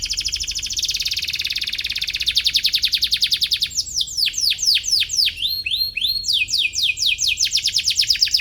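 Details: Atlantic canary chirping in search of an opponent, played to train young birds. A long dense high trill slows into pulsed rolls, then breaks into steeply descending slurred notes in quick series.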